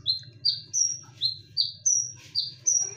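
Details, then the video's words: A konin lure song, sharp and loud: piercing whistled notes, each slightly falling, in a steady series alternating between a lower and a higher pitch, with a soft background hum. "SUARA PANCINGAN KONIN"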